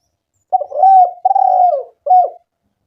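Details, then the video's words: Spotted dove calling steadily, used as a lure to prompt quiet doves to call: three low, hoarse coos, two long drawn notes nearly run together, then a shorter final coo after a brief pause, with no background noise. "Pancingan suara burung tekukur gacor"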